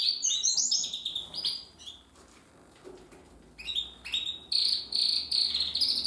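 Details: Timbrado canary, a young bird hatched in 2020, at song practice: bursts of rapid high trills and warbled notes separated by quiet gaps, closing with loud repeated chirping phrases.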